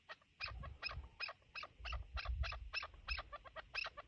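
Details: A chukar partridge gives a fast run of harsh, clucking chuk notes, about three a second, over a low rumble of wind or handling noise.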